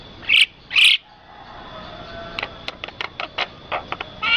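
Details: Birds at rice paddies: two loud harsh buzzy bursts, then a run of faint short chirps roughly twice a second, ending with another loud buzz.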